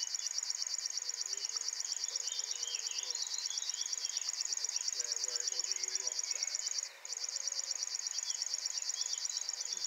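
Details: Singing male River Warbler at RSPB Ham Wall in the early morning, recorded with a Swarovski ATS80 scope and Sony RX100IV. A high, dry, rapidly pulsed insect-like buzz runs on steadily, with a brief break near the end. Faint chirps from other birds sound behind it.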